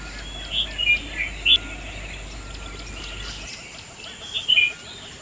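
Red-vented bulbul gives two short bursts of bright, bubbly chirps, three or four quick notes each, about four seconds apart, over a steady outdoor hiss.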